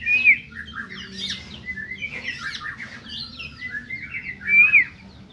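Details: White-rumped shama of the Medan type, clear whistled notes opening and closing a string of varied scratchy chirps and warbles; steady low hum underneath.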